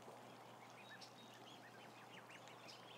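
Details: Live camera on about 1,000 ducklings: many short arched peeps rising and dropping, densest toward the end, over steady low hum and general flock rustle.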